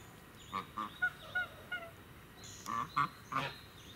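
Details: Chinese geese at the animal enclosure of Hachimanyama Park, Tochigi, Japan, on 30 April 2018, give loud, nasal, trumpeting honks, about eight in four seconds, coming singly and in quick pairs over a low steady background hum.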